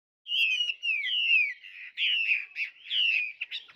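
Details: Tame caged Chinese hwamei kept as a songbird, singing loud, clear whistled phrases that slide downward, delivered in bursts separated by short pauses, with buzzy harmonic overtones and no other sounds.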